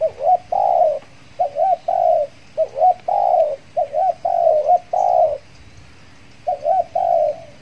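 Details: Spotted dove used as a decoy to attract wild doves, back in the field after moulting; steady run of short curled coos alternating with long flat coos, ten notes in about seven seconds, then a pause.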